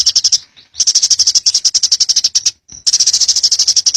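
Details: Eurasian tree sparrow singing actively in the rapid 'ngebren' style: fast strings of high, dry chirps, about eight per second, broken by two short pauses.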